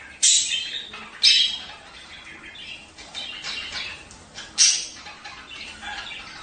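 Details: Budgerigars calling in a breeding-encouragement recording: three piercing squawks stand out near the start, at one second and past four and a half seconds, over a low background of soft chattering warbles.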